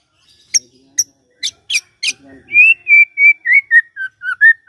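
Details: White-rumped shama lure song for the morning, meant to set a silent shama singing: spaced high ticking notes, then a string of clear sustained whistles gently falling in pitch.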